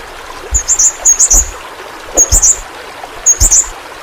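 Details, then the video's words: Yellow-rumped flowerpecker, endemic to Kalimantan, as tutor song for pet birds: three short groups of high, rapid twittered chips, each group about half a second long, with faint low thumps beneath. "Burung Pentis Pelangi Masteran Bagus Untuk Burung Figther"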